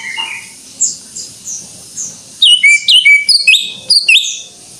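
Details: Greater green leafbird in 'gacor' song: soft, distant high notes at first, then a burst of loud, sharp, sliding whistles repeated in quick sequence.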